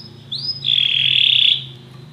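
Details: A single sustained canary trill, steady and high, lasting about a second after a short rising lead-in note; one of many canaries singing together after hearing music, with a faint low hum beneath.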